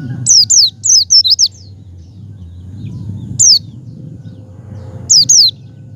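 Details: Lure call of a Javan white-eye to encourage a pet white-eye to sing: an opening flurry of quick, thin, falling whistles, then two isolated short bursts of descending notes over faint low hum.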